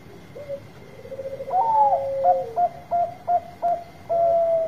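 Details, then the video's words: Lively Bangkok zebra dove whose song is used to rouse reluctant singers: a soft stuttering low coo that lengthens, then five crisp higher coos spaced about every third of a second and a final long coo; faint hum. "Suara Besar Perkutut Bangkok Gacor Obat Pancinga yang lagi Males Bunyi"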